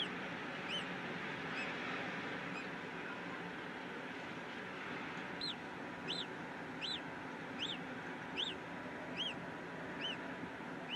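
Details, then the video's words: Peregrine falcon calling in Brussels, Belgium, on 8 April 2016 in the afternoon: after a quiet start, a series of sharp, arched, high-pitched notes about once a second over a steady urban traffic hum. "Sokół wędrowny"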